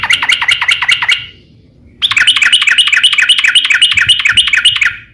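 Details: Sooty-headed bulbul song used as a lure to prompt other bulbuls into singing: fast runs of bright chirping notes, a burst then a pause of about a second, then a longer rapid repeated series.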